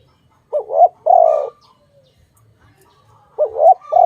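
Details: Dove connected with bird trapping gives one full coo phrase, a wobbly short note then a steady drawn-out hum, a near-silent gap, and the start of another; quiet background otherwise.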